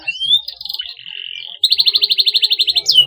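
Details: Canary song used to prompt young canaries to sing: a rising whistle, a flat drawn-out tone, then a fast, even, pulsing trill of about fifteen rapid beats ending in a sharp upslur.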